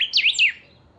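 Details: Saffron finch, a kept chiviro, delivering its 'pica' song phrase, played to spur other chiviros to sing: a fast, loud tumble of shrill buzzy whistles sweeping up and down, then silence.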